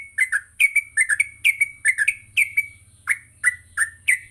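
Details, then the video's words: Gacor yellow-vented bulbul in a morning practice recording for training other bulbuls: quick pairs of bubbly chirps, each note sliding down, repeated steadily, with a faint low hum and a continuous high whine. "Pancingan Pagi burung trucuk Gacor sangat cocok untuk melatih trucuk belajar bunyi dan ngropel"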